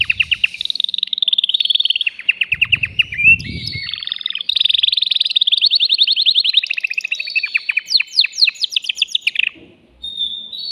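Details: Male canary singing to rouse a female for mating: long continuous sequence of rapid high trills shifting pitch, buzzy rolled passages, and sharp sweeping notes, ending on a brief pure whistle.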